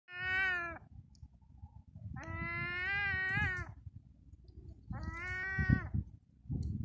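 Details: Adult herring gull calling while younger gulls listen, on the seafront at Eastbourne, East Sussex, UK, 18 April 2021 at 6.30pm: three drawn-out, nasal, mewing calls, each under a second, with a low rumble of wind or surf beneath.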